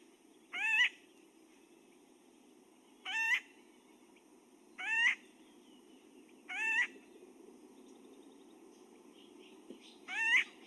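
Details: Acorn Woodpecker giving a single harsh, nasal, upslurred note five times at uneven two-to-three-second gaps over a low hum; played as a Pinyon Jay confusion species, resembling the jay's rack series but not regularly repeated.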